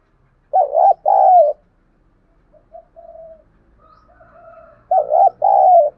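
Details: Spotted dove calling to stir wild doves into answering and fighting: low, mellow coos delivered as quick double phrases, separated by a quiet stretch with faint soft tones, then a second strong burst of paired hoots.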